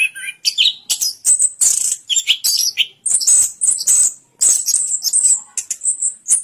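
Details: An orange-headed thrush delivers a lively, very high song of thin whistles, sharp chips and buzzy bursts, the phrases changing constantly and separated by short silences.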